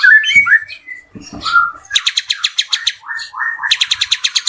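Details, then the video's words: Singing white-rumped shama kept at a bird farm: low fluty whistles and slurred notes, then bursts of harsh, rapid rattling chatter alternating with short falling whistles. "MURAI BATU GACOR"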